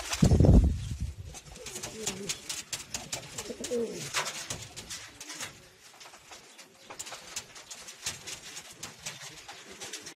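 Low, throaty rock dove coos rise and fall through the first few seconds after a loud thump, with scattered clicks and rustling throughout.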